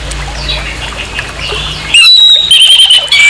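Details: Orange-headed thrush giving harsh song meant as a bait to provoke another orange-headed thrush; soft scratchy chatter, then loud high whistled phrases with a sharp upslurred opening and sustained bright notes over a low steady hum.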